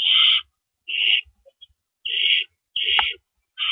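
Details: Pre-dawn owl nest on April 4 2012 where adults trade rabbits in and out; evenly spaced, breathy hissing screeches about a second apart, with quiet gaps and a single sharp click.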